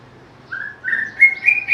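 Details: White-rumped shama giving a brief phrase of three or four pure whistles, each a little higher and louder than the last, the final notes ringing sharply.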